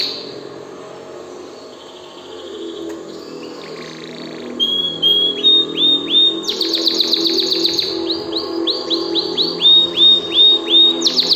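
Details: Excited canary starting softly with scattered buzzy notes, then bursting into loud repeated hooked whistles and a rapid rattling trill, followed by evenly spaced bright phrases.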